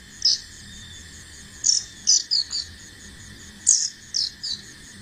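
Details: A young Bar-winged Prinia learning to fly gives sharp, very high chirps, singly and in quick pairs, about eight in five seconds, over a steady insect drone.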